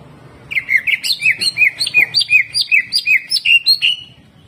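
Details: Greater green leafbird in hyper 'jamtrok' singing with rough 'tembakan kasar' shots, used as training song: a fast, unbroken run of sharp chirped notes, about 160 a minute, slurring between high whistles and lower squeaks, with a faint low hum.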